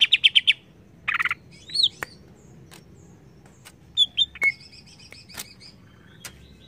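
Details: Greater green leafbird, agitated by a lure, giving short bursts of bright, rapidly repeated high chirps and a few clear whistled slurs separated by pauses, over faint background hiss.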